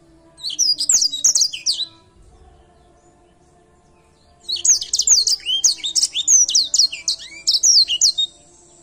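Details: A grey singing finch in full, lively song gives a rapid phrase of high twittering notes. After a pause of over two seconds it delivers a longer run of sharp, slurred whistles over a low background hum.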